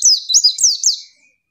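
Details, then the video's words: Female white-eye calling to provoke a rival male into answering quickly, as in the wild: a high, thin run of four or five rapid sweeping slurred notes, rising and falling, lasting about one second, then silence. "pleci manggil lawan bikin lawan emosi"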